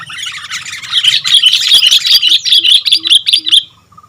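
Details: Kutilang (sooty-headed bulbul) singing actively: a loud, dense run of bright chirping and twittering notes, rapid and continuous for about three seconds, then stopping, with a few faint low notes after.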